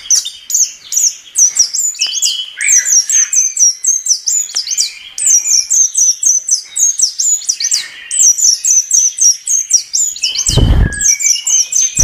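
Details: Chestnut-capped thrush song built from rapid repeated high, sharp notes, about two per second, with lower warbles beneath. Near the end there is a loud low thump.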